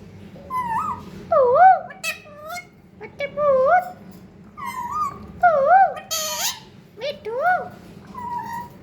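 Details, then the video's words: Pet parrot indoors mimicking human words such as "mommy" and "me too", giving wavering, nasal, speech-like phrases in short bursts separated by brief pauses, one harsh squawk in the middle. "mummy bolne wala parrot"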